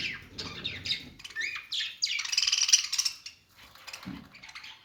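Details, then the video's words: Budgies singing while they play, a clear varied warble of rising whistled slides and fast scratchy trills, a louder buzzy flurry in the middle, then softer twitters and a low thump. "parakeet chirping sounds | budgies playing sounds"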